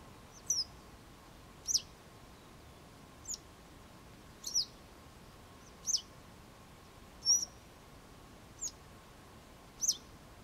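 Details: Western yellow wagtail giving thin, high, sharply descending 'tsweep' calls, eight in about ten seconds, spaced roughly every 1.3 seconds over a faint steady background hum.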